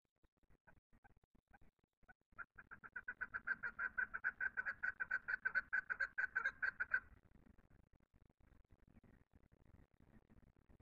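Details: Chukar calling: a few scattered clucks swell into a fast, regular chain of loud chuk notes that runs for several seconds, then ends, leaving soft rustling and clicking.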